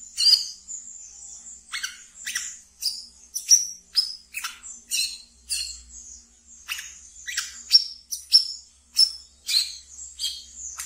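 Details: Pet brown-throated sunbird singing ngeriwik, kept as a training lure for other birds: sharp high chirps spaced roughly half a second apart, each a quick bright downward flick over a faint thin background trill.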